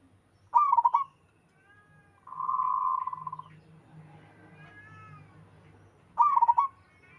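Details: {'caption': 'Local wild zebra dove cooing while others reply: rolling pulsed coo phrases at the start and end, with a steady drawn-out tone and faint low rumbling in between.'}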